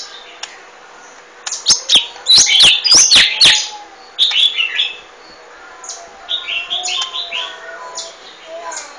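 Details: Golden-fronted leafbird opening with a fast series of loud, sharp tick-like notes, then shifting to quieter warbling twitters and thin whistled phrases that fade toward the end.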